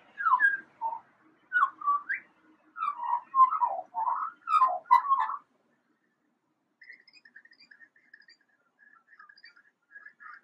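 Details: Eurasian magpie (Pica pica) imitating a siren: loud swooping whistles rising and falling for about five seconds, then softer, higher chattering notes.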